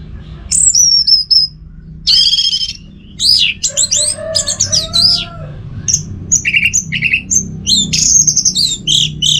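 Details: Caged orange-headed thrush kept at home in North Bali, Indonesia, in varied, mimicking song: a high whistled note, harsh buzzy bursts, falling slurred whistles, then rapid sharp chirps and trills, loud and close against a low background hum.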